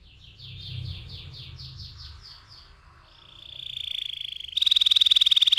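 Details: Canary song: a rolling series of repeated swept syllables, then a long steady trill that swells into a loud, fast buzzy rattle near the end.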